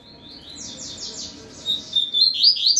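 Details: Double-collared seedeater set opposite another bird; a faint series of quick downward-sweeping notes, followed by louder, sharp rising and falling slurred phrases near the end, over low background hum.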